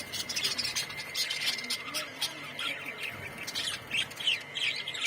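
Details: Colony of budgerigars with bright colours, many birds chattering at once in dense overlapping chirps and warbles, with a steady thin tone running throughout.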